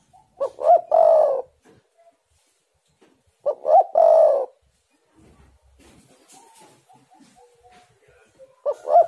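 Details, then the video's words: Spotted dove song used as a lure to make other birds sing: two phrases about three seconds apart, each a short double note followed by a long, rolling, hoarse coo, with faint bird chirps between them. "tekukur super gacor pancingan untuk macet bunyi jadi gacooorr"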